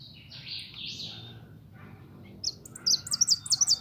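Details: Young pet European goldfinch, pintón: soft wheezy notes at first, then a quick series of bright repeated high chirps closing the phrase.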